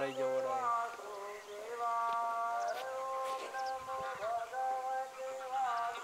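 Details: Greylag goose voices overlapping in a continuous nasal clamour of drawn-out honks, several sliding briefly up or down, with a short low hum near the start.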